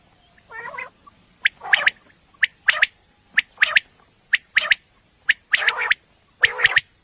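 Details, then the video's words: Common quail calling at night, recorded for use in quail hunting: sharp, clipped note groups, a quick pick followed by a doubled note, repeated about once a second, after a brief lower, harsher sound. "batair ki awaz night batair sounds"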